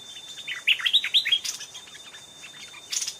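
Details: Stripe-throated bulbul songs at a trapping site: a fierce, old wild bird answering a caged decoy and twice coming up to the trap. A short run of bright, bubbly warbled notes, then a brief later burst, over a steady high whine.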